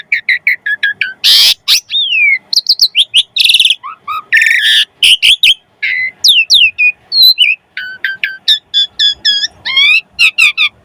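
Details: Continuous chattering song of an Asian pied starling, used to get other starlings singing; rapid mix of whistles, harsh rasps, clicks and repeated swooping notes with almost no pauses.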